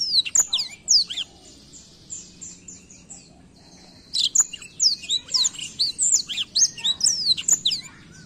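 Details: Black-throat singing: twittering chirps, a run of short repeated buzzy notes and a thin steady tone, then a lively burst of varied high slurred whistles and chips in the second half; faint low hum.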